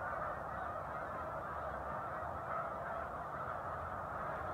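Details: A large raft of snow geese on Cayuga Lake between Romulus and Aurora, New York, in December 2023, gives a steady, overlapping din of nasal, high-pitched honks with no pauses, like a continuous roar of yelping voices.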